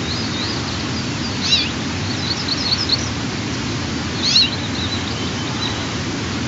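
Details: White-tailed eagle (Haliaeetus albicilla) eaglet, 12–14 days after hatching, gives thin, high, squeaky begging chitters in short bursts over steady wind roar during the second family feeding at the nest, early morning of 4 June 2023.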